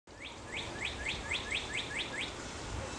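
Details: Chickadee chick being fed by a parent, its nest also holding a cowbird chick; a rapid run of eight short, bright chirps, each sweeping upward, repeated about every quarter second over soft background hiss.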